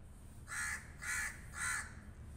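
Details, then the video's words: Crow giving three loud, harsh, hoarse caws about half a second apart, each broad and raspy, over a quiet low background hum. "Crow Sound Effects | Crow Sounds Loud | Crow Sound"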